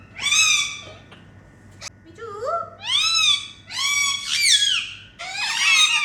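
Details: Indian ringneck parakeets at playtime indoors, making happy sounds: a series of loud, drawn-out, rasping screeches with rising and falling tone, five long calls in quick sequence.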